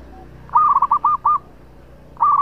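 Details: Vigorous local zebra dove singing a long song meant as a lure: a quick run of five clear, rounded cooing notes, a pause, then another burst of rolling coos.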